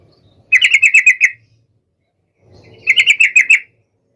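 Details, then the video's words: Yellow-vented bulbul in vigorous song aimed at a rival, meant to make other bulbuls reply instantly: two crisp bursts of about seven rapid chattering notes each, roughly two seconds apart, against near silence. "SUARA trucukan gacor MEMANGGIL LAWAN"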